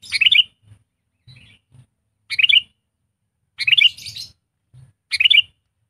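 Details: Sooty-headed bulbul trained as a decoy and used as a tutor for lazy singers delivers four short bubbly, warbling phrases about every one and a half seconds, with soft low thumps between them.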